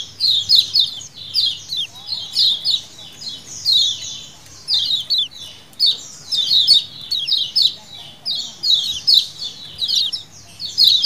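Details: A calling lemon-bellied white-eye colony in wild style, played as a lure: a steady run of high, scratchy, down-slurred chirps from several birds, with bursts coming close together throughout and a faint low hum.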